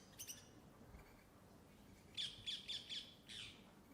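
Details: Rose-ringed (ring-necked) parakeet, a bird of London parks, gives a brief screech and then a short run of five harsh, grating, high-pitched, rapid squawks; no other sounds stand out.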